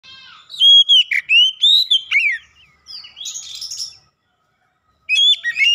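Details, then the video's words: Oriental magpie-robin lure song meant to get quiet magpie-robins singing: loud, clear whistled phrases with sliding and warbled notes, a short pause, then a burst of high sharp notes near the end. "kicauan jernih Kacer pemikat | KACER macet bunyi langsung ikutan gacor"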